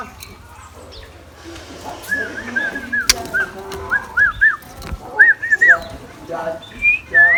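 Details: Scarlet minivet kept as a decoy bird, singing in the morning: clear whistled notes, each arched up and down, given singly, in pairs and in quick triplets, with a sharp knock and scattered clicks between phrases.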